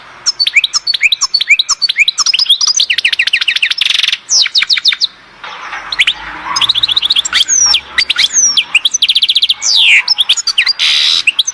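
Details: European goldfinch singing at Oued Zhour, Skikda: a rich, continuous, fast medley of sharp twittering notes, rapid trills, steep whistled slurs and harsh buzzy passages, with only brief pauses between phrases.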